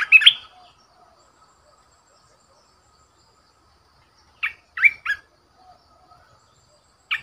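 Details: Short, sharp whistled phrases from a red-whiskered bulbul decoy bird: one rich burst at the start, a three-note phrase near the middle, and a single note at the end, with silence between.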